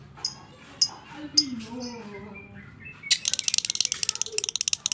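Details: A fighter lovebird chatters in the 'ngekek panjang' style used to rouse lovebirds that will not call. A few sharp squeaks and soft lower gliding sounds give way to a fast, buzzing, rattling run of shrill notes.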